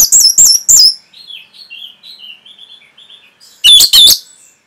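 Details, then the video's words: Orange-headed thrush (anis merah) song used as a training recording for caged birds: loud, sharp chirps with high harmonics open and close the clip, separated by a soft, quick warble of short notes. "ANIS MERAH PASTI MENGIKUTI KICAUAN MASTERAN INI"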